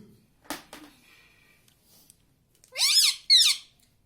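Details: A pet parrot mimics Hindi words like mummy and papa. A few soft knocks and a faint tone come first, then two loud, harsh, nasal word-like utterances in quick succession near the end.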